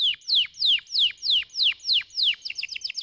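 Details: Stimulation song for lazy canaries: clear, loud whistles that sweep sharply downward, repeated evenly about three times a second, ending in a quicker, shorter burst of similar notes.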